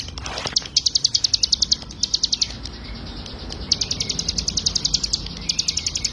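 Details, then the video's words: Hill prinia, locally ciblek gunung, giving its fast 'ngebren' song used as a master for other songbirds: clipped high notes in quick rattling bursts of about a second, separated by short pauses, over faint hiss. "CIGUN GACOR FULL NGEBREN"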